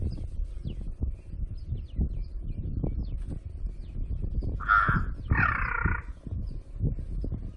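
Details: A pair of hoarse crow caws near the end, a brief clipped note then a drawn-out grating one, set against continuous low droning background noise.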